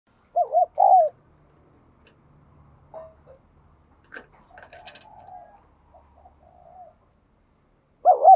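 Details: Spotted dove cooing, played to prompt a captive dove to coo: two loud, hoarse, mid-pitched coo phrases open the recording, then a long quiet stretch with faint soft notes, and a final coo phrase at the end.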